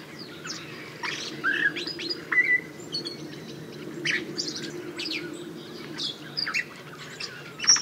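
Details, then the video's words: A common blackbird (Turdus merula) sings brief fluted phrases broken by quick, high, scratchy twitters every second or so, over a steady low hum. "Vogelstimmen: Die Amsel - Common blackbird - Turdus merula"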